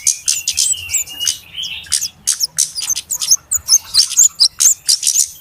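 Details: Flowerpeckers calling noisily in a trapping lure recording: irregular high, sharp chips and a few squeaky slurred notes, repeated in uneven clusters.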